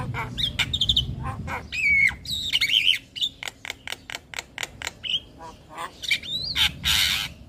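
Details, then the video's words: Javan myna master song with full fill for young birds, opening with whistled notes and harsh squawks, then a run of sharp evenly spaced clicks, ending in a rising whistle and a broad raspy burst. "Pancingan Dan Masteran Jalak Kebo Full isian Pas Buat Jalak Kebo Muda"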